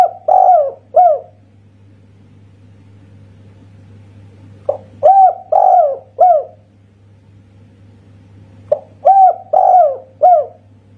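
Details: Spotted dove, local Indonesian bird of the prized 'kuk satu' voice type, repeating three coo phrases, each a brief opening note followed by three smooth falling coos, spaced roughly four seconds apart; constant low electrical hum.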